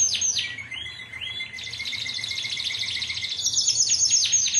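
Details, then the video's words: Timbrado canary in song, 2009 team line: descending swept notes giving way to a long fast pulsed trill, then a high sustained rattle with sweeping strokes at the close. "Santa's Slay Timbrado 2009"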